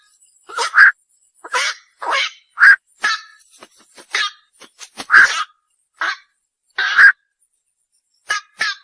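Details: Night heron uttering coarse, rasping squawks, roughly a dozen loud bursts in nine seconds, spaced unevenly with quieter grating notes in between.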